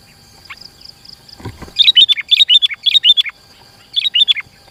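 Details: Lure song of a sooty-headed bulbul, meant to attract rival birds and train captive ones: a low thud, then three quick groups of sharp, lilting chirps, each group of about four notes, over a thin steady hiss.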